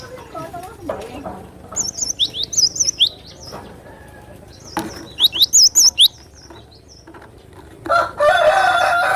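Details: Cinereous tit song meant to stir and tutor other birds, with scattered high wavy whistles and quick upslurred notes in two short bursts, ending in a loud rushing, flapping noise.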